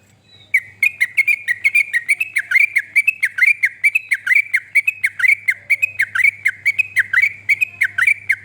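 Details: Sooty-headed bulbul song used to prompt other birds to sing: rapid, steady series of short, sharp whistled chirps, about three to four per second, continuing for about eight seconds, with a faint low hum underneath.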